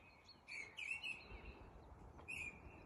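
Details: Mistle thrush giving its melodic courtship song in early spring, sung by day in sunshine from early February. Three short, clear, whistled phrases, slightly falling and about a second apart, over a faint steady outdoor hum.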